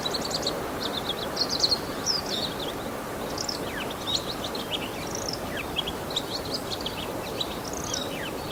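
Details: Bull-headed shrike male imitating other wild birds, 28 March 2015, captured on a Canon PowerShot SX60 HS: a long, busy stream of high chirps, sharp slurred notes and twittering phrases with few gaps, over steady low noise.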